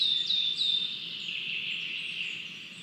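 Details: A Lesser spotted eagle chick at a Latvian nest gives three thin, high, slightly falling whistled notes about a third of a second apart, then a steady rush of wind. It was waiting to be fed after abandoning a mouse its father delivered, 27 June 2022.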